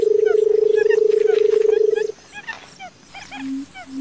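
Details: Barred buttonquail: a sustained low purring drone lasting about two seconds, then short low hoots, with scattered chirps of other birds in the background.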